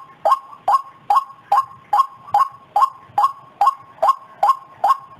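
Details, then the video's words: White-breasted waterhen lure call used to attract the species: a steady series of loud, harsh mid-pitched notes, about two or three per second, with no other sounds. "Suara pikat burung ruak ruak"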